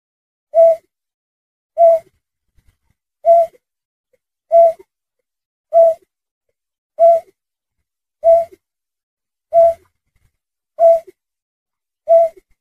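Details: Berkik calling, recorded as a trapping lure: a long steady series of ten soft, low, hollow hoots, each short and even, spaced roughly every 1.2 seconds, with nothing else audible.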